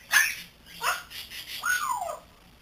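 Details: Young grey parrot, three months old, kept as a pet and learning to talk, gives three short squawking notes, the last a clear whistle sliding downward.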